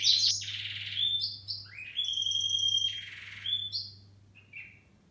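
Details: Lure song of a canary for stimulating other canaries: long clear whistled tones and rolling trills, some notes held steadily, fading toward a soft short chirp at the end, with a faint low electrical hum.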